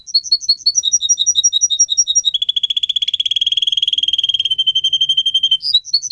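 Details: Singing canary: alternating clear whistled notes, then an extended rapid rattling trill, ending with a few more bright whistles.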